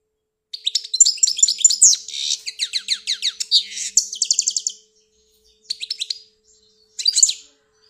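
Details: European goldfinch from Algeria pouring out a long fast twittering song of sliding, liquid notes and buzzy rattles for about four seconds, followed by two short tinkling phrases.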